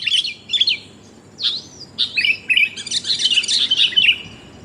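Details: Female sooty-headed bulbul calling the male, a lure sound for trapping: separate chirps and sliding, whistled notes at first, then a rapid, tumbling chatter of bright notes near the end.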